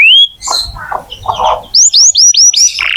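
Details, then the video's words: Canary in full, energetic song, used to prompt young or silent canaries to sing: a clean rising whistle, mixed chattering notes, then a fast series of five bright upswept whistles before a buzzy trill. "Kenari gacor untuk pancingan kenari muda atau macet bunyi"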